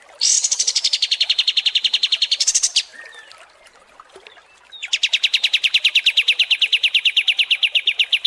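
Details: Kapas tembak songbird in a long training recording for contest birds, delivering two extended rapid high trills of steady, closely repeated metallic pulses separated by a short quieter gap with faint scattered chirps.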